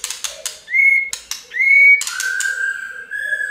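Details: White-rumped shama song for prompting birds to sing: rapid clicks followed by two short rising whistles, more clicks, then a long level whistle, over a constant low background hum.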